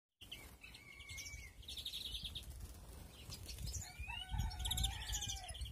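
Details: European greenfinches breeding in an aviary in 2021: bright chirps and twittering trills, with lower drawn-out whistled notes sliding downward in the middle and near the end.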